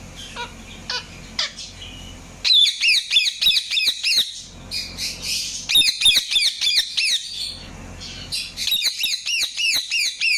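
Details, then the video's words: Indian ringneck parakeet chirping in bursts of loud, sharp, arching chirps repeated about three per second, with quieter scratchy notes between the bursts. "INDIAN RINGNECK CHIRPING SOUNDS"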